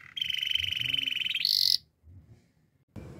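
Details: Belgian canary song, recorded for training canaries to sing. A long, even rolling trill gives way to a higher, harsher buzzing roll. A short silence follows before another note begins.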